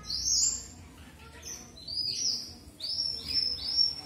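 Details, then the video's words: Strawberry finch, or red avadavat, singing a run of very high, thin whistled notes, some sliding downward, in three loose clusters with quiet gaps between. "Red Avadavat Premium or Strawberry Finch"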